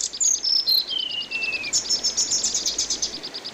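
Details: Anis binbin (orange-headed thrush) in a songbird training track with water-therapy background: a few long whistles gliding downward, then a dense run of rapid high notes, over a quick repeated ticking and steady hiss.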